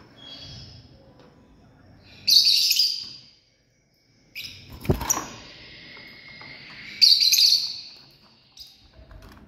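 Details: A family of lovebirds: two loud, harsh, high squawks several seconds apart, with softer chatter between them, a brief dead-silent gap, and one sharp knock or click.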